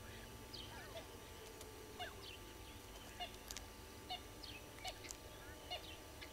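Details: Red-billed hornbills below a live camera at Gowrie dam waterhole, Djuma Game Reserve, Sabi Sand Wildtuin, South Africa, at 06:14 on 15 April 2022; short clucking notes repeat roughly every second amid a busy chorus of other birds' chirps and whistles.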